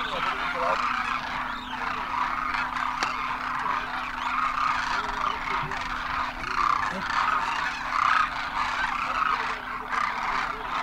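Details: Thousands of Demoiselle cranes landing on migration at a water hole in Khichan, Rajasthan; constant throng of trumpeting, honking calls, one sharp click near the start, and a low steady drone.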